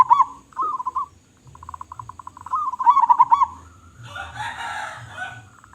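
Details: Local zebra dove, described as a loud-voiced, actively singing bird, gives rolling trilled coos near one pitch in three phrases, the last sharply pulsed, followed by a burst of harsher, noisy sound.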